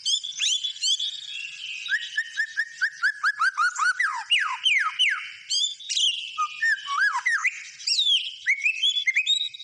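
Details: White-rumped shama in lively song: a long series of fast repeated whistled notes, sweeping downward slurs, varied warbles and mimic-like phrases, loud and continuous.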